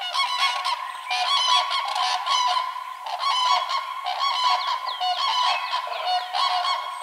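A flock of Common Cranes gives loud, rolling trumpeted calls that overlap one another almost without a break, several birds calling at once.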